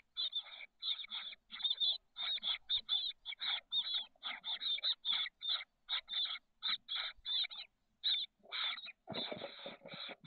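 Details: Nest-box recording from the SF Bay south peninsula on 30 May 2023 of chestnut-backed chickadee young, 13 days old, hatched 17–18 May. Dense strings of hoarse, hissing chirps repeat rapidly, then a louder scratchy scuffle near the end.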